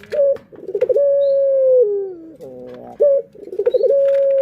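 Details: A lure recording of a kept Barbary dove: a short rolled burst, then a long level coo that drops in pitch and fades, followed by a second rolling burst into another sustained note.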